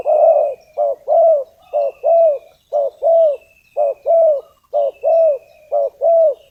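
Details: Lure spotted dove calling to attract wild doves for trapping, producing a steady series of low, mellow paired coos, a short note then a longer rolling one, repeated about once a second; thin high bird whistles in the background.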